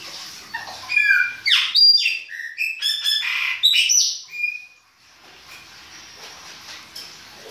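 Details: Winter song of a Chopi blackbird, baianinho style: a rapid, fluent string of clear whistles, sweeping slurs and clipped chirps lasting about four seconds, followed by near silence.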